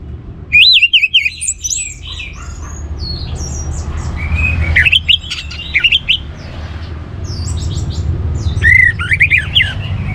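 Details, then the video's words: Orange-headed thrush, a cage bird, sung to stimulate other birds to sing: varied loud warbling and sweeping whistled notes in several bursts, with other high chirps and a low rumbling background. "The Best ANIS MERAH Gacor Untuk Memancing Burung Jadi NGeplong Bahkan Teler"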